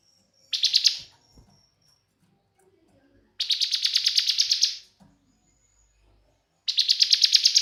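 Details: Three separate bursts of fast, buzzy trilling from a young Bar-winged prinia singing 'bren', the middle one longest at about one and a half seconds, with faint low knocks between them.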